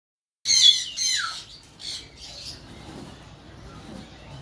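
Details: Green-winged macaw giving a loud, harsh squawk followed by fading rasping notes.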